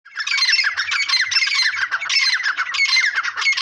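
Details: Grey francolin calling loudly, a dense run of harsh, grating squawks that are fast and uneven, with almost no pause across the whole stretch.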